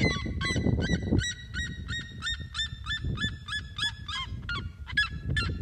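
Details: Loud yelping song of a red-legged seriema, recorded outside by an aquaponics setup: around fifteen sharp, hooked, harmonic notes in quick succession, with steady low-pitched rumbling noise beneath.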